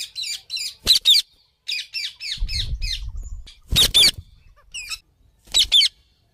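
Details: Ringneck parrot calling in a rapid series of short, sharp, high chirps and shrill squawks in irregular bursts, with some low rumbling background noise partway through.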